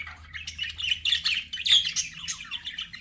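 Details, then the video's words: Budgies chattering together, quick warbled chirps and short squawks tumbling over one another, with a faint low hum in the background. "BUDGIE SOUNDS"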